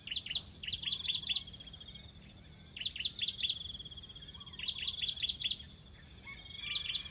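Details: Bar-winged prinia chicks, hungry, being fed at the nest: sharp, high chirps in quick bursts of four to six, repeated about every two seconds, over a thin steady buzzing trill and faint background hiss.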